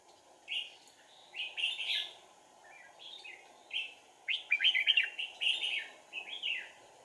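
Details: Decoy red-whiskered bulbul singing during trapping, 4 April 2019: lively sequence of quick, liquid whistled phrases, several grouped into rapid rolling runs, against a low continuous hum.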